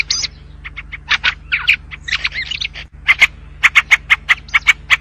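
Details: White-spectacled bulbul song of looping, warbled whistles in a tumbling phrase, then a fast, regular train of sharp chirps with a sustained thin tone, against a faint low hum.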